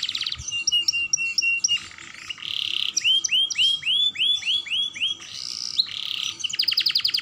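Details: Young canary singing vigorously as a lure to trigger song in other canaries; varied phrases mixing buzzy blocks, looping upward whistled notes repeated in a row, and a final fast rattle of clipped high notes.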